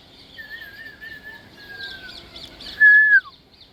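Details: Soft wavering whistle from an African grey parrot that drifts gently downward, followed by a loud, short flat whistle that drops away at its end.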